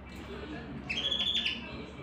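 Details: Singing canary holding one long, slightly wavering whistled note for about half a second, preceded by a faint lower tone and quiet background hum.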